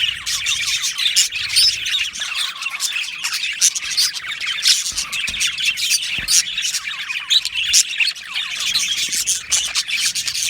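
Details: Many budgerigars in an aviary colony keep up a loud, busy chorus of rapid high chirps and warbles, individual notes rising and falling over constant chatter.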